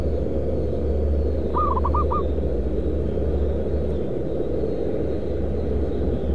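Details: Zebra dove targeted by trapping in a concrete pipe and paving factory area, Kudus, Central Java, Indonesia. A single short run of rapid rising coo notes, with steady loud low-frequency machinery noise throughout.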